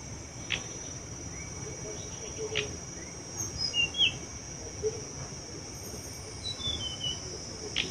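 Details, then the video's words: Tledekan (murai buluh) heard during a bird-trapping lure session: short, high chirps and thin whistled notes scattered through the clip, a small cluster near the middle, over a steady loud shrill insect drone and faint rustling. "Pikat Burung Tledekan"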